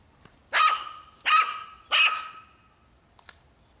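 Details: Crow calling while stealing snacks from another crow: three loud, harsh, hoarse caws, about 0.7 seconds apart and fading at the ends, then a faint click over a quiet background.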